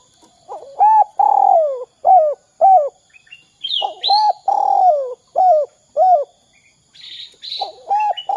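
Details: Repeated 'kuk 2' phrases of a spotted dove, used to prompt other doves to call: short coos around a long downslurred buzzy coo, two full sequences, with high whistles and chatter from other birds between them.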